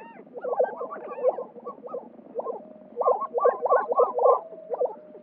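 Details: Several male lesser prairie-chickens displaying at a spring lek in New Mexico, competing to court females: a busy chorus of low, hollow, bubbling booming hoots with yelping notes, birds overlapping in quick succession.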